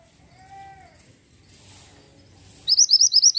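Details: Faint low background and a brief mid-pitched whistle, then a pied bushchat bursts into a fast run of about seven high, upward-flicking chirps at the end.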